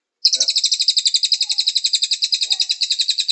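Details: >Mountain tailorbird (cililin) song from a training recording used to teach caged birds to sing: one long, fast, high trill of sharp repeated notes, about nine per second, running steadily to the end with no pause.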